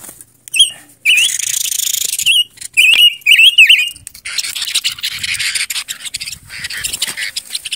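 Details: Silver-eared mesia uttering short clusters of twisting whistled notes, a few loud bursts in the first half, then a dense wash of high-pitched background noise.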